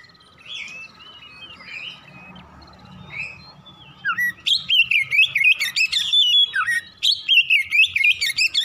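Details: Morning Oriental magpie-robin: after soft, distant whistles over a low hum, loud rapid ngropel singing bursts in with quick varied whistles and chattering notes repeated several times a second.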